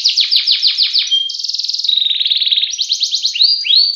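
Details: Canary in long continuous song: repeated upward sweeps, a brief pure whistle, then fast rattling rolls shifting in pitch, ending in two rising swept notes.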